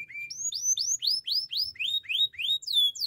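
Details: Belgian canary singing a training song: a steady run of bright rising whistled slurs, about four each second, clean and loud with almost no background noise.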